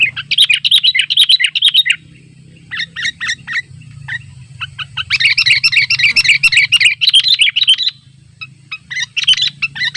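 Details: Wild sooty-headed bulbul calling to rivals in the open, recorded for simple trapping: bright, bubbly chirping phrases in dense bursts, one long run then pauses and another long run, with a steady low hum underneath.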